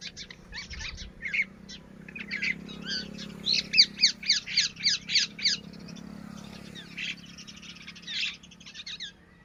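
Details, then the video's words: Baby red-wattled lapwing (titehari) giving sharp, high, clipped notes in quick bursts of about three or four a second, with a faint low background hum. "Red wattled (Titehari)Baby|Bird sounds"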